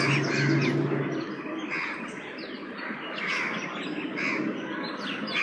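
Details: Bank myna, known as Sharak in Punjabi, a South Asian myna, giving harsh chattering and squeaky notes in quick irregular bursts, with a low engine-like hum at the start.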